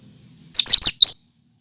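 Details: Cucak kinoi natural song, free of imitations, used to prompt birds: a single loud phrase of four quick, piercing, high chattered notes.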